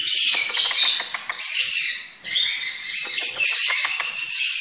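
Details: Indian ringneck parakeet, a pet shown learning to talk, giving a run of harsh, bright, chattering squawks and rasping notes packed tightly together, with a short pause midway before the noisy babble resumes.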